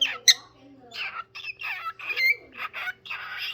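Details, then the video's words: Parrot singing, a run of harsh, noisy squawking phrases with a few brief whistled notes, broken by short pauses, over a steady low electrical hum. "Parrot singing"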